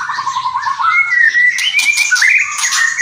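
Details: White-rumped shama singing in kretekan and whistling style: a rapid stuttering run of low notes, then long clear whistles sliding upward, mixed with short harsh rasps.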